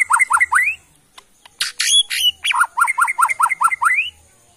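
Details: White-rumped shama of Borneo from Kalimantan forest stock, kept for song, giving quick series of loud sharp V-shaped chipping notes around a burst of harsh buzzy notes.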